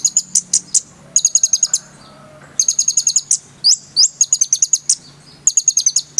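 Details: Konin singing in full, rich voice: dense, rapid high-pitched chattering trills in repeated bursts, with brief rising whistled notes between phrases.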